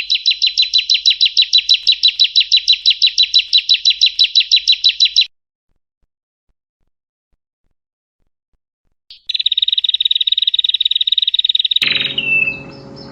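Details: Prinia song used as tutoring material for songbirds: a rapid train of high, sharp repeated chips for about five seconds, silence, then another fast chipping burst cut off by a loud click and brief noisy rumble.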